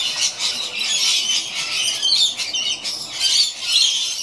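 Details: Two rainbow lorikeets playing on an old rope in a tall gum tree utter rapid, rasping screeches and squawks, overlapping and irregular, close to one per second in loudness peaks.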